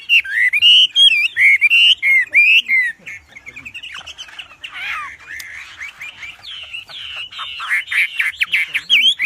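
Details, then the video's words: Forceful Wambi song for teaching songbirds: quick, bright whistled phrases, then a stretch of fast chattering and crackly notes, ending in louder sharp whistles. "Wambi Gacor Cocok Untuk Masteran Suara Lantang dan Keras."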